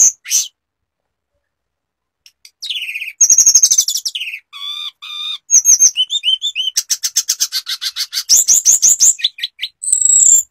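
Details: Sulingan singing mimicked phrases: scattered sharp chips, then rapid runs of buzzy, repeated high notes and looping whistled slurs, ending in a long, piercing whistle.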